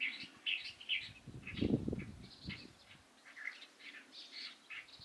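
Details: Light-vented bulbul, recorded 16 April 2023, giving short, bright chattering chirps repeated throughout, with a brief lower, harsher squawking burst partway through.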